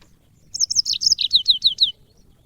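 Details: Single phrase from a yellow-fronted canary as cage-bird training audio: about nine high, clear notes in under two seconds, the later ones sweeping downward in a steady, even rhythm.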